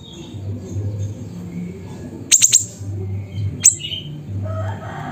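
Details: Siri-siri bird calling at Busu Reului, Mutiara, Pidie, Aceh: a quick burst of three very high, sharp chirps, then a lone chirp about a second later, over a steady low hum.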